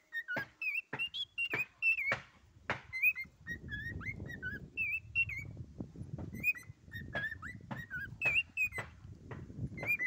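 A cockatiel whistles a run of short, bright, rising and falling notes, mixed with sharp clicks, over a low indoor rumble.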